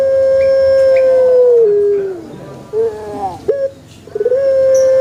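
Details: Long crow of a pelung chicken in a banana garden, a steady sustained tone that slowly slides downward and fades, then short bending notes and a new level tone starting.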